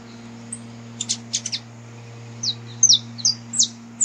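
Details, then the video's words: Wild saffron finch song, recorded in nature as a warm-up song for a canary: scattered high chirps, a short cluster near the start, then bright down-slurred notes in the second half over a low hum. "Canto Para Esquentar o Canário da Terra"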